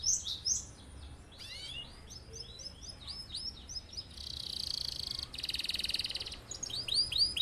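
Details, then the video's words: Canary song used as a master for training other birds: quick series of arched chirps, a dense buzzy rolling trill in the middle, then more rapid repeated notes; faint background hiss. "Kenari gacor cocok buat pancingan atau masteran burung"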